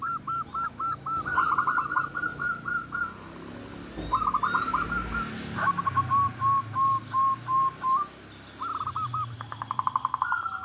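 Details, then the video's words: Zebra dove of local stock singing to draw other zebra doves into song: repeated runs of staccato rolled coos, some faster and stuttering, against constant background noise and a brief rumbling thud midway. "Perkutut Lokal Gacor Suara Paling Ampuh Untuk Pancingan Burung Perkutut Agar Bunyi"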